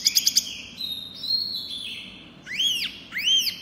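Pygmy cupwing song: a quick burst of four sharp chips, a thin level high whistle, then two loud arched whistled notes that rise and fall.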